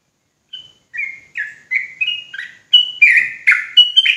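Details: Javanese sooty-headed bulbul, or trucuk, in fast ropel song: clear downslurred whistled notes starting singly, then quickening to about three or four per second, growing louder and richer.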